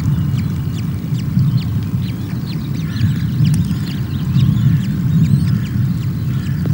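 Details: Hungry osprey chicks on a Loch of the Lowes webcam nest in Scotland, 24 May, while female NC0 feeds them breakfast: rapid high thin peeping calls repeated throughout, over a steady low wind rumble.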